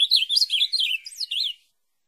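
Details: Ultramarine grosbeak song for training a caged pet to sing: a dense, run-together warble of sliding whistled notes lasting about one and a half seconds, ending in a brief upswept note before silence.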